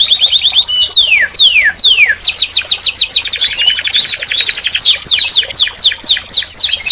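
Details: Canary singing: a series of fast descending whistled sweeps, then a long run of rapid rattling trills and repeated notes climbing and falling, loud and continuous.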